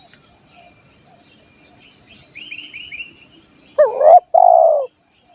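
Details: Spotted dove cooing to lure wild doves: after a short run of high twittering from another bird, one full phrase sounds, two clipped rising notes and a longer rolling coo, over faint insect buzz.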